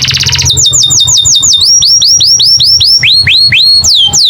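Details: American canary singing a fast, loud, rhythmic phrase of bright repeated chirps. Each note swoops up then down, about four per second, with pitch shifting slightly across the series. Faint low hum sits underneath.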